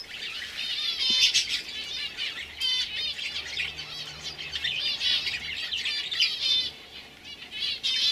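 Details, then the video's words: Young canaries, 2015, singing a continuous rapid warble of repeated trills and chirps, several birds overlapping, with brief wing flutters and a low steady hum behind. "Kanarien Vögel (Jung) 2015"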